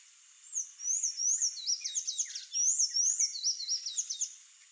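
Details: Sanhaço-do-coqueiro, the palm tanager, delivers a hurried run of thin squeaky up-and-down notes, roughly two or three per second, in one continuous twittering phrase over a quiet hiss.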